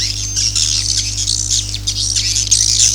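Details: Swiftlet calls in the style known locally as "Akau ngaji", used as a lure recording: dense high chattering twitters with brief squeaks, layered over a steady low mechanical hum throughout.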